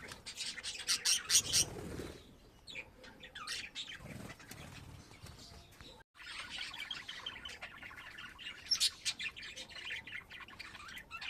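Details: Pet budgies in lively chatter: continuous high scratchy warbling and chirping, with fluttering wing sounds early on and a short break before the chatter resumes.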